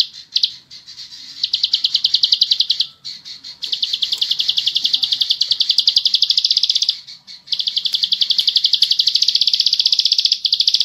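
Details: Bar-winged prinia sings long, rapid, buzzy trills of high, evenly repeated notes, each burst lasting several seconds with brief pauses between.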